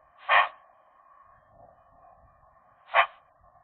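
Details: Inside a magpie nest in January, a young pair engaged in winter courtship: two short, rough, chacking notes roughly two and a half seconds apart, with a steady hum underneath.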